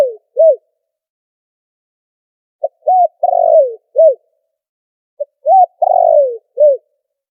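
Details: Noise-filtered spotted dove call used as a trapping lure, giving two full phrases of mellow coos: a clipped lead note, an arched coo, a long descending wavering coo and a final short coo, phrases about three seconds apart.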